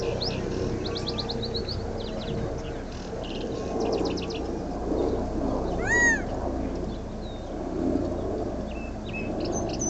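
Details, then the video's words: Quail perched in a tree at Dead Horse Ranch State Park, Cottonwood, Arizona, on May 2, 2010; one loud, arched, nasal call near the six-second mark, amid frequent thin high chirps and trills of other small birds over a steady low rumble. "QUAIL IN TREE"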